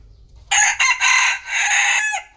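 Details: A rooster crows at midday in Vietnam, a single loud, hoarse cock-a-doodle-doo lasting under two seconds, split into several strained syllables ending in a drawn-out note.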